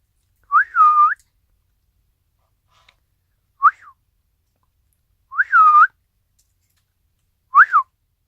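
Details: A pet Isabelle pearl cockatiel with a well-developed crest, filmed indoors on 25 December 2017 in winter, gives four clear whistled calls, each swooping down then up, spaced about two seconds apart, with quiet gaps between.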